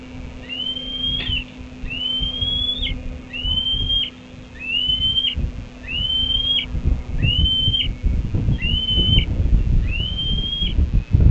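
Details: Red-tailed hawk, likely a male, calling at the nest on the Cornell campus on 18 June 2012 around 6:15 pm before flying off: eight thin, high whistled notes dipping at the end, about 1.3 seconds apart, over wind rumble and hum.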